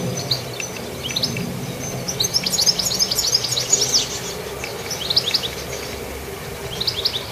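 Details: Active goldfinch with an almost continuous run of high, tinkling chirps and twitters, loudest in the middle, over faint steady background noise.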